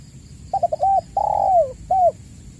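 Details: One spotted dove phrase from a lure recording for caged doves: a rapid burst of short coos, a long mellow coo falling at its end, then a single short coo. A faint steady high-pitched tone runs throughout.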